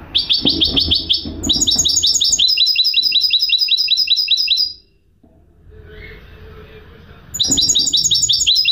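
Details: Goldfinch hybrid (mule) singing: rapid series of high, buzzy repeated notes in fast trills, then a pause of near silence with faint low noise before the quick trilled phrases resume.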